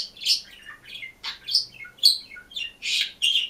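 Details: Green budgerigar singing and chirping alone in its cage: a fast, unbroken chatter of raspy, squeaky warbled notes with frequent downward slides, indoors.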